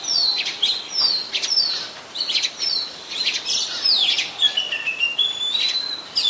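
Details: Oriental magpie-robin, very common resident of Ubon Ratchathani, Thailand, recorded 24 December 2020: sharp downslurred whistles and busy chirps, ending in long level whistled notes that step up and down.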